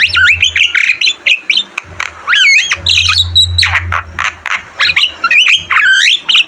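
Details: Javan myna in full, energetic song, recorded as a tutor track: a fast jumble of harsh squawks and bent, whistled notes jumping between high and mid pitch, with a low steady hum underneath at times.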